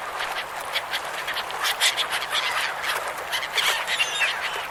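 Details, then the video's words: Gulls on a river calling together as a flock: a dense, continuous chatter of harsh, overlapping squawks and cries from many birds, with louder bursts rising out of the mass every second or so. "Seagull Sounds River Seagulls"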